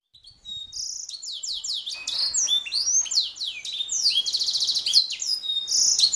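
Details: Canary song recorded as a master for teaching songbirds: starts quietly, then builds into fast high whistled sweeps, buzzy trills and rolling rattles, steadily growing louder.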